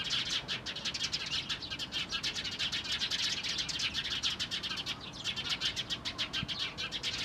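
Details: Flock of Eurasian tree sparrows, 4 February 2012, keeping up nonstop busy chirping: rapid, overlapping high notes many times a second, with a brief thump near the end.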